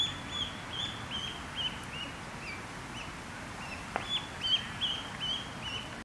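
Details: Canada goose goslings arguing and fighting: a steady series of thin, high, slightly downslurred peeps, roughly two to three per second, with brief pauses, over constant outdoor background noise.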